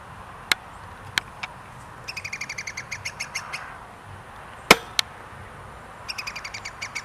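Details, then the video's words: Iberian Green Woodpecker, 2022: two bursts of quick, ringing, laugh-like notes, the first longer and slowing, the second brief, with several sharp loud clicks or knocks between them. "Green woodpecker chirping 2: PIL-PILEAN"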